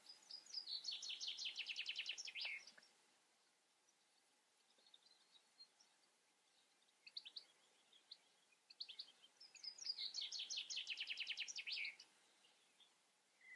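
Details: European goldfinch singing: two bursts of rapid, high, tinkling twittered notes, each lasting two to three seconds, separated by a quieter stretch of scattered short chirps, over a faint steady background hiss.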